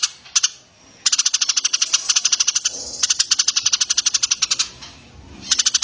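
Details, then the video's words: Eurasian tree sparrow on a training track for contest birds: a couple of sharp chirps, then long, even runs of rapid, high chirping that stop and restart. "Masteran burung lomba || Gereja Tarung VS Tengkek Buto"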